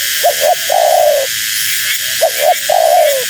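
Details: Female spotted dove call meant to lure wild doves: two phrases, a pair of short hoots then a drawn-out, falling coo, set against steady hissing noise.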